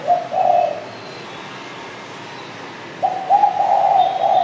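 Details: Spotted dove giving low, soft coos: a brief coo phrase, a silent gap of about two seconds, then a longer rolling coo sequence.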